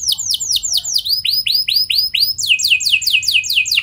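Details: Canary song used to set other canaries off: a series of clear, high, downward-swooping whistles, about three per second, shifting into a faster sequence of similar swoops.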